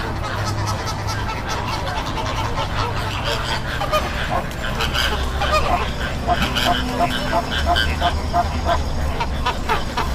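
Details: Greater flamingos at a backwater in Bagalkot give a dense chorus of overlapping nasal, goose-like honks, many birds calling at once, over a steady low rumble of wind or distant engine.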